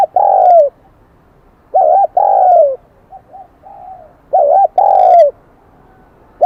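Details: Spotted dove of the Kim Đồng high-voice type, caught from the wild, cooing steadily. Loud phrases of a quick double note plus a sustained descending coo, repeated roughly every 2.5 seconds, with faint soft coos between.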